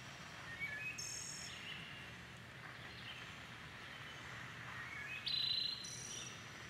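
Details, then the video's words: Wood thrush in a dawn chorus sings a clear fluted whistle followed by a thin, high trill. Fainter chirps from other birds and a steady background hum come through. "Dawn Chorus with Wood Thrush"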